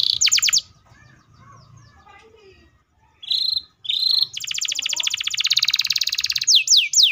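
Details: Canary's tight long roll meant to set off other canaries: a short trill burst, a near-silent pause with faint chirps, two brief buzzy phrases, then a sustained rapid pulsing roll closing with quick sweeps.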